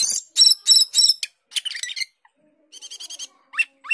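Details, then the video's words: Asian glossy starling delivering 'gacor teler' song, said to copy all kinds of birds: loud rasping buzzy phrases, a short gap, then a rapid string of clear high notes and rising whistles. "Cucak keling gacor teler"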